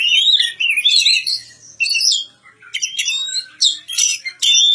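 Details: Village-kept magpie-robin (kacer) singing: sweeping whistled phrases that rise and fall, then a string of harsh, scratchy chattering notes in quick bursts, with brief pauses between.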